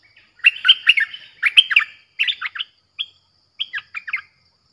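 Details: Streak-eared bulbul song, a fierce-sounding lure recording played to attract wild birds: short bursts of bubbly, warbled notes in quick clusters, grouped in phrases separated by brief pauses, with no other sounds.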